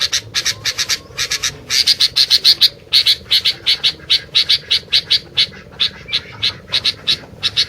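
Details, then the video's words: Sooty-headed bulbul in rapid, almost continuous chattering, dense short chips repeated more than twice a second in uneven runs, with a steady low background hum. "TAK Bisa DIAM,,,,Burung Gentilang Gacor DOOOR...!!!"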